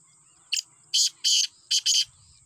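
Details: Black francolin giving a harsh, rasping call of five broad scratchy notes in two uneven groups, loud and clear over a faint steady high hum.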